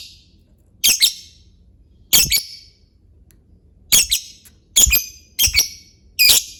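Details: Lovebird chatter used as a lure: harsh, raspy paired squawks at irregular intervals, bunching closer together toward the end, over faint low hum.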